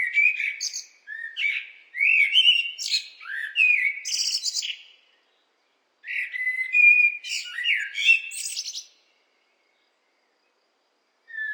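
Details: A blackbird sings two long, leisurely phrases several seconds apart, each a string of melodious fluted whistles with squeaky high flourishes, and a fresh phrase begins right at the end.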